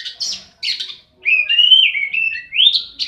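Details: Oriental magpie-robin singing in a fighting context: a few short rich notes, a pause, then long sustained whistled phrases that slide up and down, ending on a rising note.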